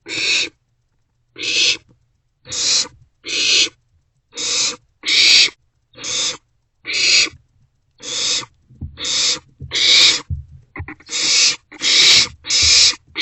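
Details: Barn owl nestlings in an owl box shortly before 2 am, 27 March 2024, sharing prey; a long run of about seventeen harsh hissing calls, quickening toward the end, with shuffling in the background.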